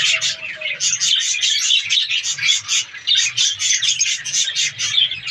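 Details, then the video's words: Many caged budgerigars in a breeding colony chatter together in breeding season: a steady wash of overlapping high chirps and squeaky warbles pulsing in quick bursts, with a faint low hum beneath. "australian parrots budgies ke birds colony"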